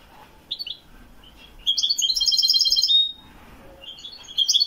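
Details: European goldfinch of the Wiidani type recorded in Morocco in 2021. It gives brief high chips, then a fast run of bright, tinkling twittered notes lasting about a second. Another short twittering burst follows at the end.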